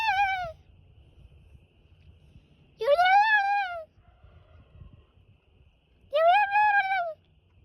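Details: Pet turkey talking back as its owner makes noises: three long, clear, whining calls, each rising then levelling off and lasting about a second, separated by quiet gaps with faint background rustle.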